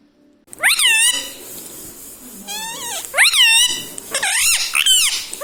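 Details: Loud pet parrot said to be talking "mummy papa": strong, arching syllables that rise then fall, given in quick succession, with a short silence at the start.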